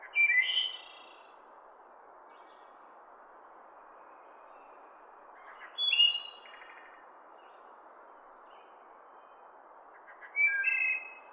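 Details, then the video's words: Three wood thrush phrases spaced about five seconds apart in a wild forest setting, each a soft lead-in, a pure echoing whistle and a fine high trill; constant faint hiss between songs. "wood thrush bird sounds"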